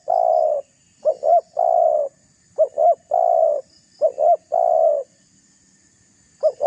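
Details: Spotted dove calling to provoke a rival: low, mellow cooing phrases, a quick double coo followed by a long drawn coo, repeated about four times with brief pauses; a faint high hiss runs throughout.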